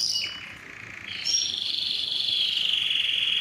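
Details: Domestic canary song recorded for tutoring birds: a high sustained whistled tone near the top, then a long steady held note sliding slightly lower, clean with no other sounds.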